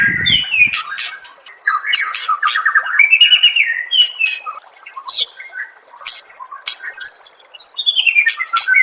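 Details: Clear white-rumped shama master song for stimulating other shamas to sing: a low thump at the start, then varied whistles, rattling trills and high sharp notes in rapid phrases separated by brief gaps.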